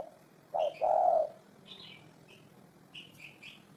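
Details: Spotted dove cooing from a 2018 collection: one deep two-part coo, a short note then a longer hum, followed by faint high chirps from other small birds.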